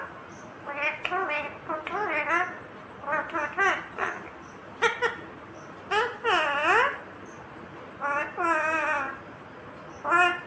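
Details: Ringneck green parrot chattering in bursts of harmonic, speech-like syllables, some giggle-like and some swooping down then up. Short sharp clicks are scattered through ten seconds of otherwise quiet surroundings.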